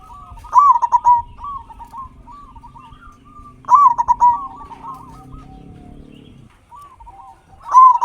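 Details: Local zebra dove singing strongly, used to stimulate quiet captive doves: trilled, bubbling coo phrases followed by soft descending notes, recurring roughly every three seconds over faint low hum.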